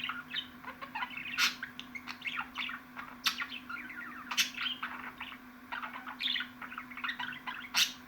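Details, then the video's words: Budgerigar twittering and clicking in uneven bursts, bright squeaks sliding up and down between louder sharp ticks, over a constant low hum. "MUHABBET KUŞU SESİ"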